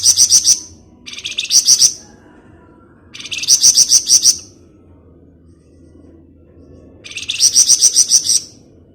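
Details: Flamboyan bird singing in ngebren style, used as a lure: four rattling, buzzy phrases of rapid pulses, each about one to one and a half seconds, separated by short silences.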